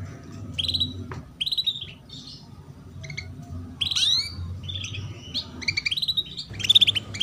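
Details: 'Cuit cuit' calls of a female canary, meant to coax young canaries into song: repeated short tweets and upward-curving whistles in spaced groups, some with quick stuttered notes, over a low steady background rumble.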